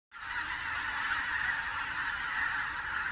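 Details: Greater white-fronted geese newly arrived in the region in autumn, 16 October 2016; many distant birds calling together, their yelping voices merging into a dense, steady din that rises abruptly from silence.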